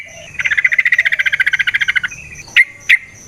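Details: Sooty-headed bulbul in energetic nrotok delivery, a lure to set other bulbuls singing: one long, even, buzzy rattle of about twenty rapid pulses, then a pause and two sharp, separate notes.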